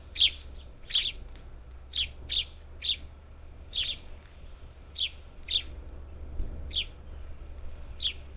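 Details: Up to ten parakeets visiting a Houston-area feeder, Texas Gulf Coast, 27 July 2021; quick clipped high chirps, often in doubled notes, about every half second to second, with a low background hum.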